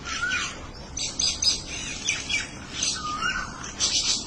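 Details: Birds exchanging calls as if talking to each other: dense overlapping high chirps and squawks, broken by a smooth whistled note that dips and rises, set against constant hissing background.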